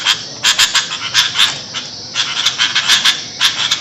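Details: Noisy sooty-headed bulbul calling for bird luring: scattered harsh bursts with thin whistled streaks, grouped in quick clusters broken by short pauses, over a faint hiss.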